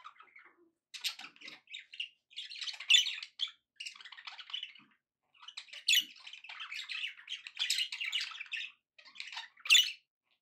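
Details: Pet budgerigars sounding happy, uttering separate clusters of sharp chirps and scratchy chatter with clear gaps, slightly quieter than the rest.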